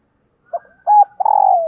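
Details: Captive decoy spotted dove calling to lure wild doves: a short soft coo, a pause, a steady mid-pitched note, then a longer trembling coo that slides gently downward; quiet background.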